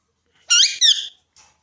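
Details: Hand-tame green ringneck parrot giving two harsh, buzzy screeches in quick succession, each about a third of a second, with stacked ringing overtones, followed by a brief faint squeak; quiet indoor background.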